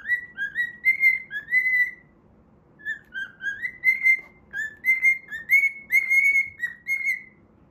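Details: During play, a pet cockatiel sings its learned Pitagora Switch theme: two bursts of quick, pure whistles that climb in pitch and level off, with a short silent gap between phrases.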